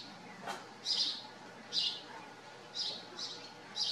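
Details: House sparrows living at a farm: a few short, bright chirps spaced roughly one second apart, with one softer sound near the start, over a quiet background.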